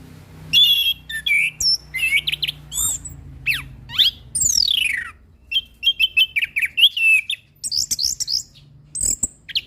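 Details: A trained orange-headed thrush sings a settled song: loud, varied phrases of rising and falling whistles, sweeping slurs and chattering notes over a faint low background hum.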